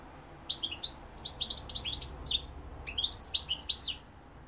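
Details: Rapid, sweet twittering from a European goldfinch, called mqnin in Algeria: three bursts of quick high chirps and slurred whistles delivered almost without a break.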